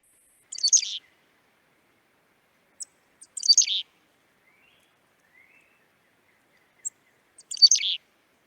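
Black-capped Chickadee giving three high, buzzy bursts of scratchy notes, each under a second, about every three seconds, with faint thin chips between them.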